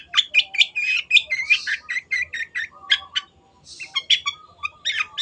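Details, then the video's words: Long-tailed shrike (cendet) singing energetically as a tutor for kept birds: a quick stream of varied chirps and scratchy whistles, with one harsh buzzy burst near the middle of the second half. "MASTERAN BURUNG CENDET GACOR"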